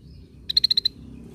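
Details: A single tight burst of six rapid, clipped notes from a cream-vented bulbul, played as a lure sound, over a quiet low hum.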